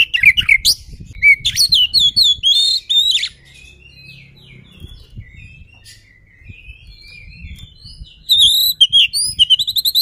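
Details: Oriental magpie-robin singing to agitate a rival bird: bursts of loud, varied, sliding whistles and chattering notes, a quieter middle of soft thin phrases, then another loud run of repeated whistles.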